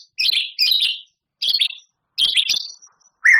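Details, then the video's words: White-rumped shama singing with harsh fill-in phrases: short, buzzy, scratchy chirped bursts, each under half a second, separated by brief silences, ending on a clearer note. "Suara Murai Batu Juara,Tembakan Murai Batu Gacor Full Isian Kasar Panjang Mewah"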